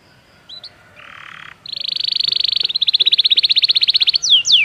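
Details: Belgian canary singing for canary training: a short buzzy burst, then a long fast trill of rapidly repeated high notes, ending in a couple of sharp downward-sweeping whistles.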